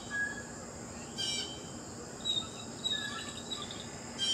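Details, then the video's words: A single rasping Blue jay call, thin high chirps, then another harsh call starting at the end, all over a constant insect buzz. "Blue Jay Birds Sounds"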